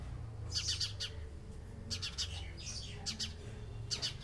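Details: Group conversation of house sparrows: sharp, repeated high chirps in quick clusters separated by pauses of about a second, over a low droning background.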